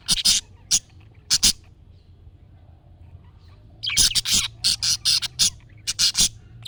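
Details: Budgerigar chirps, used to coax a caged budgie into replying: a few loud scratchy chirps, a short pause, then a rhythmic run of about ten sharp, buzzy chirps.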